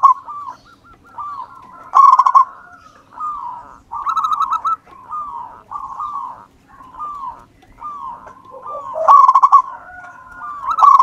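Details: Local wild-type zebra dove singing actively, recorded for use as a lure: a steady run of soft mid-pitched cooing phrases about once a second, broken by louder rolling, pulsed bursts near two, four, nine and eleven seconds.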